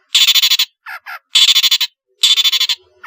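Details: Long-tailed shrike in lively varied song, used as a lure for idle shrikes: three loud grating bursts of rapid harsh pulses, about half a second each, with two short buzzy notes between.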